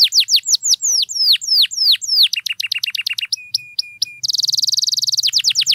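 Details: Canary song used to draw a response from silent canaries: falling whistled notes, clipped repeated chips, flat sustained tones, then a fast buzzy rattle and more downslurs.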